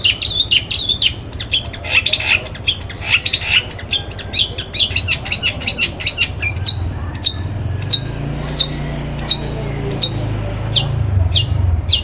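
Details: Long-tailed shrike morning song used as a lure to set other shrikes singing: a fast burst of harsh, scratchy chattering notes, then sharp single notes spaced about half a second apart, with a low hum beneath.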